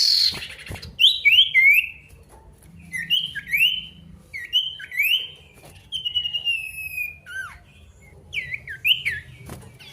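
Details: Male pied bush chat in vigorous song toward an opponent, repeating short phrases of two or three sharply falling whistles every second or so, with one longer buzzy note.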